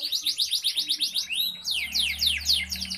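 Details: Canary singing in the lively Indonesian gacor style with ornate cengkok phrasing: rapid trills of descending high sweeps, about four per second, then a rising glide into fast falling downslurs, all high-pitched over a faint low hum.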